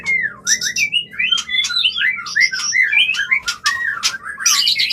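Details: Clear mating song of a white-rumped shama for bringing a bird into breeding condition: a flowing chain of looping, slurred whistled notes repeated rapidly, with crisp clicks between phrases.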